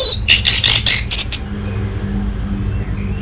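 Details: Orange-headed thrush song used as a lure and master recording for training birds: a quick burst of about six buzzy, high chattering notes in the first second and a half, then quiet background hum.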